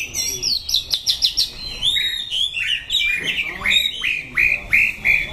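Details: White-rumped shama, Dak Lak, September 2015, singing a fast series of high whistled notes and short trills, bright repeated phrases with sharp upward and downward slurs, several notes each second, delivered steadily.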